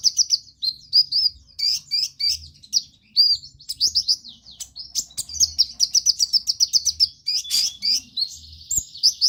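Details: High-pitched twittering from a vigorously singing sunbird, meant to stimulate other birds to sing: quick repeated chirps, with a rapid rattling trill near the middle and a buzzy stretch toward the end.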